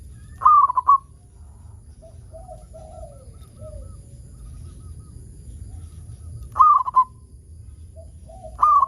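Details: Zebra dove song, a local bird used to lure others into singing; short bursts of quick staccato coos repeat about every six seconds, with faint softer notes between and a steady high hiss.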